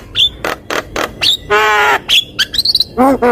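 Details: Javan myna singing in a lively, varied stream, used as a lure recording to prompt other birds: sharp whistled notes and slurs mixed with harsh buzzy squawks and nasal harmonic phrases, all delivered in quick irregular bursts.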